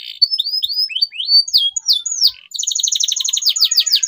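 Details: Singing canary, used to prompt mute canaries back into song: a run of rising whistled slurs followed after a short gap by a fast, dense rattling trill of repeated high notes.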